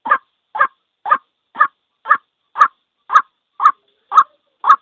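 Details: A lone white-breasted waterhen, played to lure birds into traps, gives ten coarse, croaking notes at a steady rhythm of roughly two per second, the later ones slightly louder.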